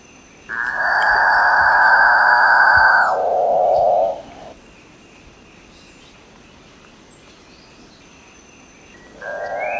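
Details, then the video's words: Capuchinbird (Perissocephalus tricolor) singing: a loud, harsh grinding rasp of about two and a half seconds drops into a lower, buzzy moan, then fades to quiet; another call begins at the end. "Canto do Maú Perissocephalus Tricolor"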